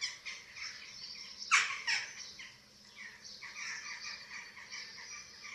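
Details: Eurasian eagle-owl pair with chicks at a nest webcam in Germany, 27 March 2024, during feeding: harsh, raspy hissing calls repeated irregularly, with one louder screechy squawk in the middle; no deep hoots.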